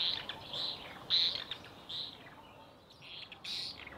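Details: White-rumped swift defending its occupied nest against intruding swifts with a screaming display; a few shrill, high screams in separate bursts, some louder, with quieter gaps between.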